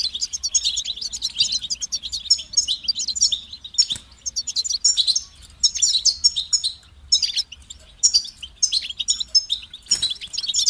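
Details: Lively goldfinch phrases of liquid twitters, metallic chirps and rattling trills, rising and falling in intensity, with two sharp clicks partway through.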